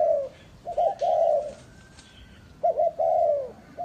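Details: Captive lure spotted dove from a farm in Ba Vi, Hanoi, Vietnam, calling a clear paired pattern: quick double coo followed by a longer sliding coo, repeated twice.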